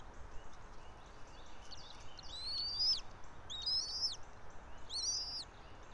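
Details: Calls from a bald eagle pair's nest high in a pine, about 90 feet up, Johnson City, Tennessee, early morning 04.03.2024; faint chatter, then three loud, shrill, piping call bursts in quick succession over steady low rumble.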